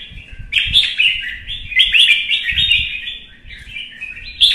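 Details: Red-whiskered bulbul in Vietnam singing competitively, provoked into a heated duel: dense run of bright warbled, slurred phrases with little pause, a few low knocks and thumps underneath.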